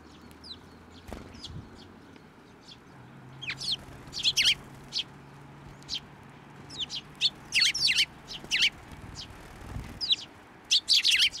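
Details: Hand-fed sparrows at a Tenmangu shrine, 10 June 2024, chirp sparsely at first, then in dense, irregular bursts of loud, scratchy notes. A greeting of good morning follows.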